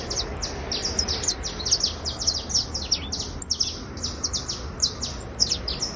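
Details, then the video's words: Trilling song of a criollo basto canary, a dense run of very high, sharp, down-sweeping notes repeated rapidly in bursts throughout, with faint low rumble underneath. "Canario criollo basto trinando"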